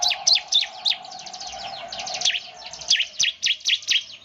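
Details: Bar-winged prinias, a semi-gacor singer said to draw others into song: a dense run of overlapping high, slurred chirps tumbling together, over a steady low hum.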